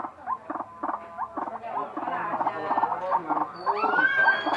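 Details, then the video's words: White-breasted waterhen with a strange call, a dense stream of quick croaking pulses that grows louder, ending with a thin, rising whistled note. "Ruak ruak bersuara aneh"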